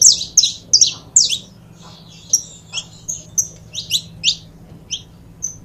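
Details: Saffron finch pair, or canário da terra, opening with dense clusters of bright, high chirps, then spacing out into separate short whistled notes and sharp chips, with a soft low hum underneath.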